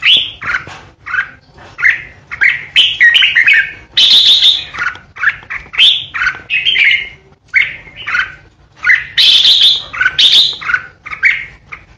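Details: Red-whiskered bulbul decoy singing continuously, with short bright warbles repeated about every half second and two loud, scratchy ché bursts breaking into the phrases.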